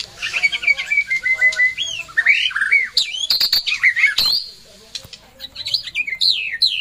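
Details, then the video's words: Pet white-rumped shama in full gacor song, mixing descending whistled runs, swooping notes and sharp clicking bursts, with a short pause before bright high phrases resume. "Burung muraiy batu Bersuara gacor"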